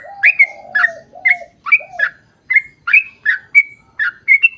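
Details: Lively sooty-headed bulbul song played as a lure to get other bulbuls singing: low wavering notes open, then clear bubbly whistles rising and falling, repeated roughly twice per second.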